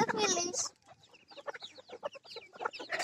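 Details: Pekin bantam flock: an opening drawn-out harmonic squawk, then rapid, irregular short clucks, about three per second, from several birds.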